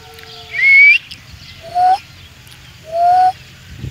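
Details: Indian ringneck parakeet giving three clear whistled notes: a high, rising whistle first, then two lower, slightly rising whistles about a second apart, over faint background hiss.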